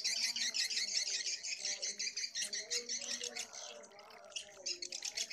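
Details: Edible-nest swiftlet lure recording mixing colony call and mating call, call part turned down: dense rapid high buzzy chirping chattering steadily about three times a second, fading near the end, with a man talking over it.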